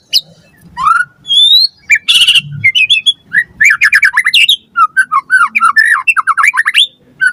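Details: White-rumped shama (murai batu) in full song, used as a lure to make captive birds respond and sing: a long run of varied, rapid whistled notes, sliding and rising phrases, dense chattering bursts and fast trills with barely a pause.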